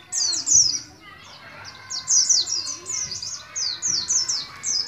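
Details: Oriental white-eye from Moga, Pemalang, a young cage bird beginning ngalas ngeroll singing: rapid high slurred notes, a brief lull, then a steady run of repeated downward chirps.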